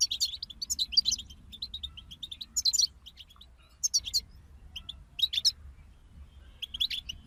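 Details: Goldfinch group singing loudly: clustered bursts of high, tinkling, fast-chattering notes, each burst roughly a second long. The bursts come with short gaps between them, over a quiet steady background.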